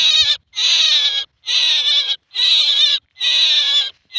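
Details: Common myna, described as a male, calling with coarse, grating notes, each about two-thirds of a second long and spaced by short pauses, five in a row at an even pace.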